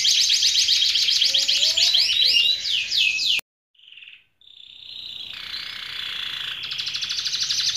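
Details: Canary singing a fast, bright trill of repeated high notes for about three seconds, then a sudden cut to silence, a short tone, and a sustained high whistled note that builds back into trilling.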